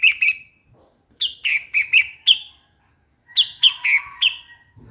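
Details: Repeated bulbul phrases of three to five bubbly, falling notes, roughly one phrase every two seconds, with clear pauses between them.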